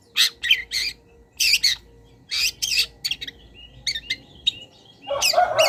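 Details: Long-tailed shrike singing a master song for training cage birds, filled with imitations of wild birds: harsh, buzzy bursts of high notes in short clusters with brief gaps, ending in a lower, rasping squawk. A faint steady hum sits underneath.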